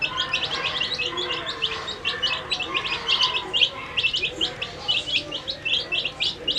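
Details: Many colourful dyed baby chickens feeding together, an unbroken flock chorus of high, chirpy peeps repeated many times a second.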